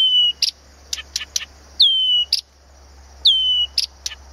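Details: Blyth's reed warbler singing at Planta, Podlaskie, Poland: bright downslurred whistles recurring every second or so, each followed by dry clicks and short chips, against an even high-pitched background drone.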